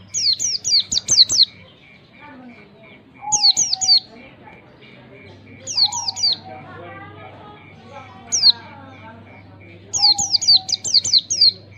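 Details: Oriental white-eye in ngalas style, a long standard song used as a learning lure: five separate bursts of quick, high, sharply falling twittered notes over twelve seconds, with low murmuring speech and a steady faint hum in the gaps.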